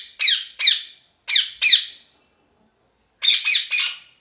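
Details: Parrot giving harsh, raspy squawks in quick bursts: two pairs of short grating calls, a pause, then a rapid run of three, in a quiet small room.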